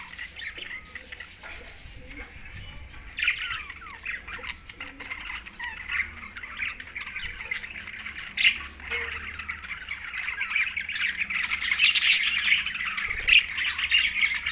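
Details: Green budgerigars chirping in a group, starting quieter and building to a loud flurry of harsh squawks and rapid warbling chatter in the final seconds.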